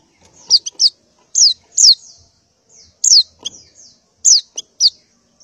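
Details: Female white-eye in breeding condition, calling for males in the morning: sparse, spaced high downslurred chirps, often in pairs, with faint low rustling between them.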